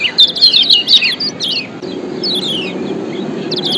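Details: Lombok yellow white-eye song used as a lure: a fast burst of high, jumbled chirps at the start, then a few sparse descending notes while a low hum rises in the background.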